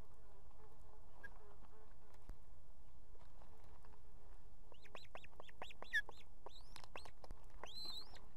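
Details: Osprey female on a nest with two chicks in Estonia, July 2016, summoning the male with food: after several seconds of steady hum, a quick burst of arched whistled chirps begins and repeats until the end.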